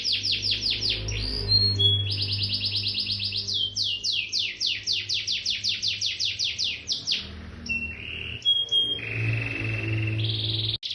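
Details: Agitated gacor canary, Bandung, Indonesia: quick high trills give way to slower, looping down-slurred notes, then short whistled tones and a closing burst, over a faint room hum.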